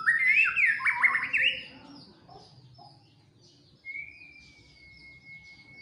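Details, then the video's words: Agitated fighter white-rumped shama gives a quick run of looping whistled notes, then falls quiet before a single long, level whistle. "tes mintal murai batu fighter gacor dan emosi"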